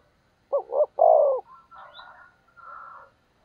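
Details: Spotted dove decoy cooing to provoke wild doves: a single low phrase of two short coos and a longer falling note, followed by a rough, hissing chatter from another bird.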